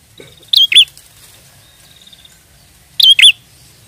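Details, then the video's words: Two loud double chirps from a prinia singing as a trapping lure, the first preceded by a faint buzzy trill, over a soft low background rumble. "Pancingan prenjak gacor ampuh pikat burung prenjak"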